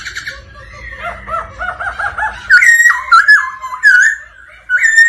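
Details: White-cheeked laughingthrush singing and displaying alongside a female's rolling 'ro ro' call meant to stir the male: a run of repeated rolling notes, then loud whistled phrases that swoop and slur around a steady pitch.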